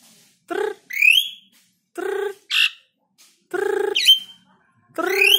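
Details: Captive Black-winged starling calling to set off other birds: loud nasal, harmonic squawks in spaced bursts, each followed by sharp rising whistles.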